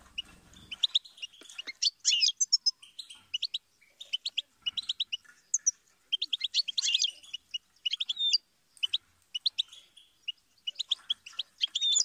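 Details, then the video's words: Goldfinch giving an extended, bubbling song of rapid high chirps and tinkling trills, with loud clusters of notes broken by brief pauses. "Song of Motivation : inspiring Goldfinch Chirps And Sing"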